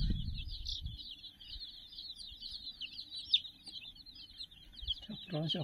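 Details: A large brood of 60 domestic chicks playing around a cuddly puppy toy; dense, overlapping high chirps run without a break, with a few soft low thumps at the start and end.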